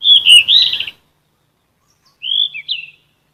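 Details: Golden flycatcher song for training caged birds: a loud rolling warble, silence, then a quieter pair of whistled notes.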